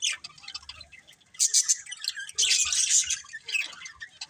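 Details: Two colourful budgerigars, a breeding pair, give soft chirps that build into loud, fizzy chattering bursts with shrill squeaks, separated by quieter gaps.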